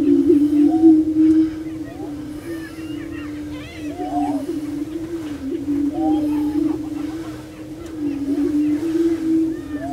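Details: Many prairie chickens displaying together on a lek in Bluestem Prairie Preserve, Glyndon, Minnesota; an unbroken low moaning drone runs throughout, overlaid by bursts of quick chattering cackles and short whoops.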